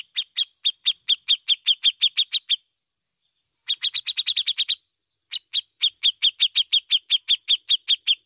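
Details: Grey-cheeked bulbul (cucak jenggot) singing ngepik style: three long runs of crisp, high, rapidly repeated chipping notes, about four per second, separated by short pauses.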